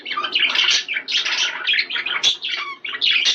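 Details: Budgerigar warbling intended to trigger mating: rich, raspy chatter with slurred whistles and descending chirps, almost continuous.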